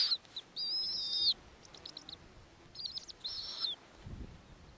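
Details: At a snowy owl nest with hatching eggs and young owlets being fed, a rasping screech with a whistled edge is followed by a second, softer pair of screeches over a steady hiss of background noise.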